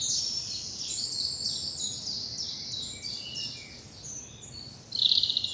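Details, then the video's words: Early morning in a spring bluebell wood in the south of England: high jumbled twittering from several birds, easing off midway, then a loud bright trill bursts in near the end. "Birdsong and bluebells in the morning sun"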